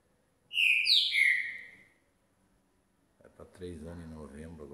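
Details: Caged young green-winged saltator sings after a bath at 6 °C. A loud, ringing phrase of three downward-sliding whistles is followed by a man talking.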